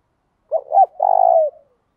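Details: One phrase of spotted dove 'thổ đồng' song, used to spur males to reply: two short hollow coos, then a longer vibrating, gently falling coo lasting about half a second, clean background.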